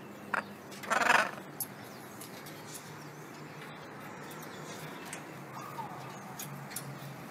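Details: Wild blue-and-yellow macaws visiting daily to be fed: one loud, harsh, noisy squawk near the start, then faint chirps over steady background hiss, with Spanish conversation nearby.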